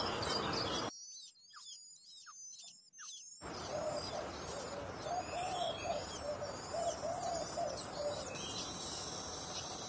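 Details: Little pied flycatcher chick, hatched late and frequently left without food, repeats thin high chirps several times a second, with a softer, lower warbling bird in the background and steady hiss.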